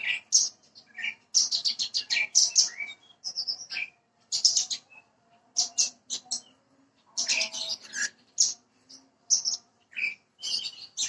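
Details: Branjangan parva bushlark singing in a prompting recording: clusters of rapid, high chirping notes broken by short silences, with occasional lower whistled slurs mixed in.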